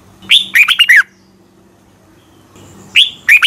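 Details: Red-whiskered bulbul giving morning training song for contest birds: one lively phrase of five quick, ringing, slurred whistles, then silence, then the start of the next phrase.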